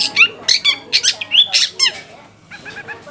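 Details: Long-tailed shrike song played to provoke other shrikes into replying: quick scratchy squeaks and warbled whistled notes about twice a second, fading into softer twittering.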